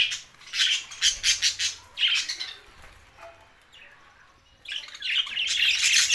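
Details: Budgerigars described as lonely, June 7, 2024: a quick series of rasping, evenly pulsed chirps, then a lull with one soft rising whistle, followed by a loud dense burst of scratchy chatter.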